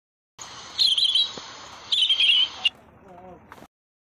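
A European robin sings two short, high, twittering phrases about a second apart, thin and warbled, over a faint steady hiss.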